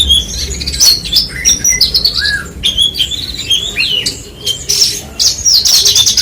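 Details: Branjangan song of sharp high notes, rising and falling whistled slurs and buzzy bursts, broken by short gaps in quieter background.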